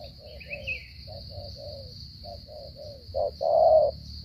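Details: Spotted dove from Cà Mau, Vietnam, cooing in the halting 'gù cà lăm' style: a run of brief soft coos, then louder fuller notes near the end, with a constant high-pitched electrical whine behind.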